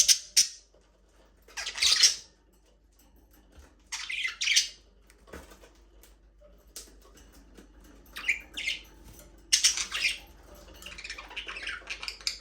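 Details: Budgerigars talking, singing and playing in their aviary: harsh, scratchy chirps and squawks in short bursts, roughly seven clusters over twelve seconds, separated by quieter gaps with faint rustling.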